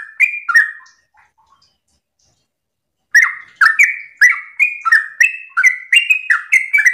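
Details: Yellow-vented bulbul singing ropel in the morning, a recording meant to get other bulbuls singing. Two slurred whistles and faint chips, about two seconds of silence, then a rapid, steady stream of gurgling, warbled notes.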